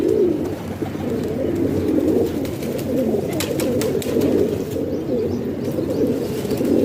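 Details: Home-kept pigeons in Pakistan, a continuous chorus of low, throaty coos. A run of sharp clicks or taps comes in the middle.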